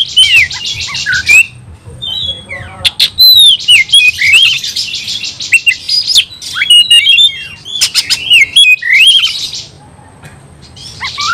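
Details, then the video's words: Oriental magpie-robin singing its combative song to provoke rivals to fight: long run of rapid, buzzy high phrases mixed with clear rising and falling whistles, scratchy trills and a few sharp clicks, fading near the end. "KICAU KACER TARUNG"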